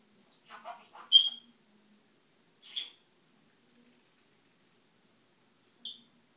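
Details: A pet brown-headed parrot mimics household sounds: a soft, scratchy chatter, then three sharp, high electronic chirps a few seconds apart imitating the home's fire-alarm beep, with another bird mumbling in the background.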